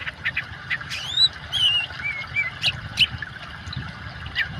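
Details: Oriental magpie-robin with water sound for therapy of silent caged birds: a few sweet upslurred whistles and drawn-out slurred notes separated by short pauses, over continuous low flowing water.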